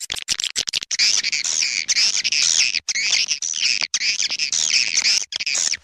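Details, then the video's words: Swiftlet lure call played to attract swiftlets: dense, continuous chattering and twittering chirps concentrated high in pitch, in rapid bursts separated by brief gaps, with layered repeated notes and no other clear sounds. "Suara panggil burung walet"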